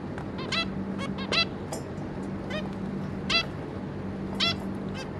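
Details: Zebra finch family, a pair plus three juveniles, recorded 26 May 2022: clustered nasal beeping calls, several close together early, then single calls about once a second, over a low steady hum.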